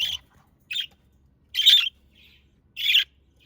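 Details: Pet budgerigars give clear, loud, grating squawks, four bursts over a few seconds, each about a quarter second long with silence between, and one softer chirp among them.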